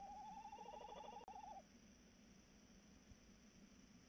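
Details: Tawny owl calling on the evening of 3 March 2018 around 21:14: one long, quavering, wavering hoot held steady at mid pitch for about one and a half seconds, then a quiet low hum of background noise.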